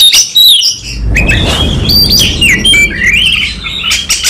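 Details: Oriental magpie-robin in a fighting song display with full repertoire: bright whistled slurs and rising, falling notes over a steady low rumbling background noise.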